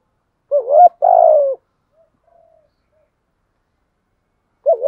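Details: Spotted dove kept as a decoy, coo-calling to provoke wild birds to fight: one full low two-part coo, a few faint quiet notes, then the start of the next coo at the very end.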